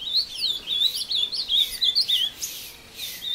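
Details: Ultramarine grosbeak (azulão) taken into the bush at Passos, Minas Gerais, singing in a fight with a free-living rival: quick run of clear, looping whistled notes with brief pauses, little other noise.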